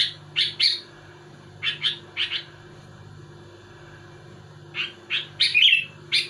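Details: Sooty-headed bulbul singing to provoke rivals: paired, sharp chirps at the start, scattered doublets, a quiet gap, then a closing cluster of bubbly notes, over a low continuous hum.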